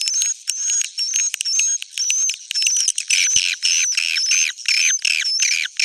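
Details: Edible-nest swiftlet roosting call, suara inap, used as a lure: loud, busy twittering of scratchy chirps in rapid pulses, overlaid by repeated thin high whistles, with a couple of brief clicks.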